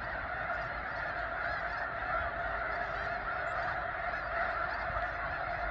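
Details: A flock of many thousands of snow geese at McNary National Wildlife Refuge near Burbank, Washington, making a steady roar of overlapping honking calls that never breaks.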